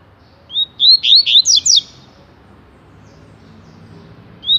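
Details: A double-collared seedeater, singing a lot (tui tui song type), gives a quick phrase of about six high, bright whistled notes, sliding up and down, then a single note after a pause; quiet background; finding: Double-collared seedeater.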